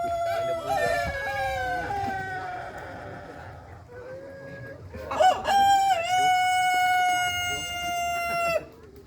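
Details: Long sharp rooster crow compared to a cricket at night; a fading, falling crow first, then a loud second crow with a quick rise and a steady note held about three seconds.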